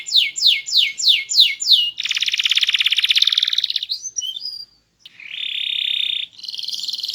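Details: Loud, melodious canary with a small body and a varied song: five swooping downslurred whistles, then a long fast buzzy trill, brief warbled notes, a short pause, and a steady rolling trill.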